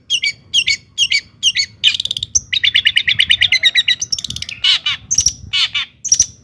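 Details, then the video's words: Long-tailed shrike in rich, varied song used to provoke other shrikes: quick harsh notes, then a long fast string of trilled chattering phrases, ending with sharper mixed calls and thin high whistles. "kicau cendet gacor JITU di cari BUAT PANCINGAN CENDET AGAR EMOSI DAN GACOR"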